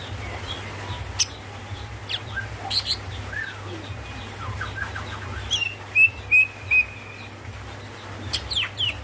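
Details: Greater green leafbird female calling the male, giving scattered thin chirps and slurred notes before a tight trio of clear, level whistles, then a few sharp high calls over a constant low hum.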